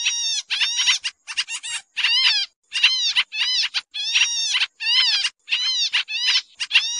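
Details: Pied triller lure sound for trapping, a noisy busy chatter: harsh, buzzy bursts of rapid downslurred notes repeated in quick irregular sequence with short pauses; no other sounds.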